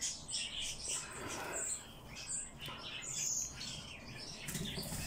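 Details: A young bird being hand-fed gives high, thin chirps in quick bursts, with soft flutters of wings and rustling between them.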